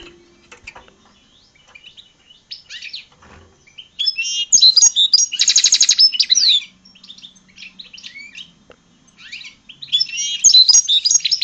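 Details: A European goldfinch × hooded (red) siskin hybrid finch sings a rapid, tinkling song of high twitters, buzzy trills and sharp chirps in bursts, with a dense buzzing rattle in the middle.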